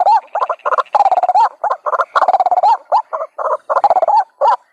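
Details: ['White-breasted waterhen call played as a lure to attract waterhens: dense bursts of harsh, nasal croaking notes running together, rising and falling quickly in rapid irregular runs with brief gaps.']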